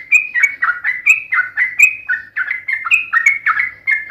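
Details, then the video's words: Trucukan bulbul's lively 'ropel' fighting song: evenly paced, slurred chirps dropping in pitch, some notes doubled, continuing without a break. "SUARA trucukan gacor TARUNG ROPEL PANJANG"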